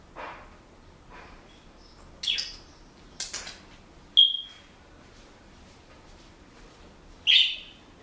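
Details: Captive Senegal parrot in a quiet room makes sparse sounds: a faint chirp, scratchy clicks, a thin steady whistle and, near the end, one loud sharp chirp.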